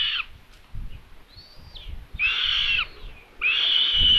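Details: Common buzzard young on the nest in Tiszalök, Hungary, 27 May 2022, begging as prey is delivered; three harsh, level, strained calls, one faint falling whistle between them, background quiet apart from soft low thumps.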